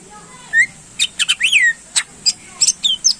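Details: Greater green leafbird (cucak ijo) song used to stir up contest birds: a quick run of sharp chips and curving whistled notes, one bold downward slur, delivered in tight bursts over a faint hum.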